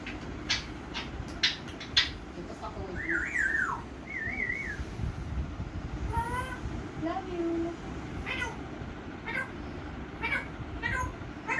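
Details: Pet African grey parrot, recorded last year, saying "love you" to its owner; wavering whistled tones and short speech-like syllables, with a steady low background hum throughout.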